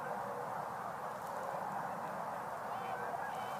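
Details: On 12 November 2022, a large flock of Tundra Swans, very vocal at this time of year, calls all at once, a steady wash of overlapping high, mellow hoots and yelps with no pauses between them.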